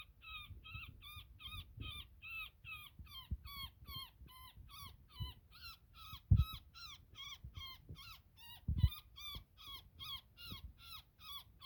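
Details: A woodpecker trapped in a net calls in distress as it is cut free, a long, unbroken run of harsh nasal notes, roughly two to three per second, punctuated by a couple of loud thuds.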